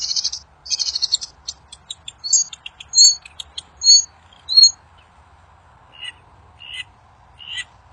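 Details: Wild bird singing, a song said to make other birds answer: bursts of high chattering notes, then separate sharp chirps and short whistles spaced irregularly, with a faint steady background hum.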